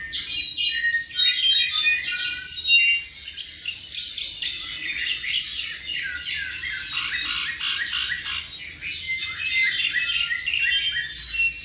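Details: Roughly seven-month-old tropical mockingbird pours out a long, dense medley of sharp chirps, squeaky notes and rapid trills that hardly pauses.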